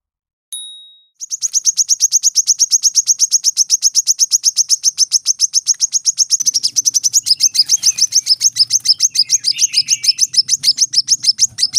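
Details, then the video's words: Brown-throated sunbird in dense 'tembakan rapat' rapid-fire song, used as training audio for cage birds: a long, fast, steady train of sharp, very high ticking notes after a brief whistle, with a low hum joining midway. "kolibri kelapa | manggar | wiceh | masteran temabakan rapat"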